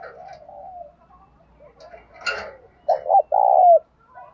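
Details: Spotted dove singing in the bài bản bổi style, played to prompt captive doves to coo. Faint low cooing comes first. A louder phrase follows: two short clipped notes, then one long, even coo. A brief scratchy chirp sounds in between.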